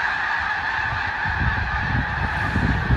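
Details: Snow geese massed at George Reifel Bird Sanctuary, Westham Island, British Columbia, spring migration, March 24, 2015: a steady honking chorus over a heavy low rumble, probably wind.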